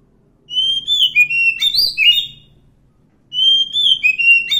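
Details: Wild oriental magpie-robin singing its natural song: two bursts of sweet, clear whistled phrases with sliding notes and quick ornaments, separated by a short pause, over a quiet background.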